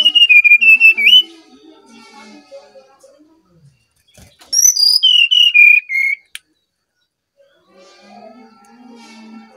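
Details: Brown-chested jungle flycatcher singing, used as a lure bird: bursts of clear whistled notes sliding and stepping down from very high to mid pitch, two phrases separated by silence, with faint background chatter.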